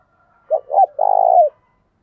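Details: Spotted dove used as a decoy bird, cooing to provoke other doves to call quickly: two short husky notes followed by a longer, purring, slightly falling coo. No other sounds.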